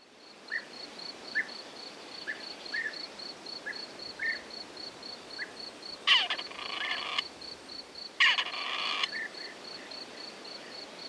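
Grey partridge giving two harsh, creaky rasping calls about two seconds apart, over a steady high insect trill and soft repeated chirps.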